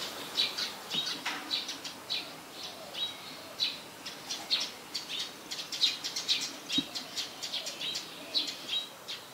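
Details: Black-collared starling recorded at Ubon Ratchathani, Thailand, on 26 March 2021: a rapid, uneven series of short, high chirping notes runs throughout, with a few brief low thumps in the background.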